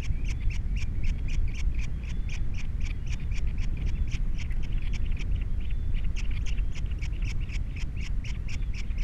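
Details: Captiva osprey nest with three young, filmed by a nest camera on 21 February 2022: continuous rapid, high, clipped chirping throughout, backed by strong, steady low wind noise.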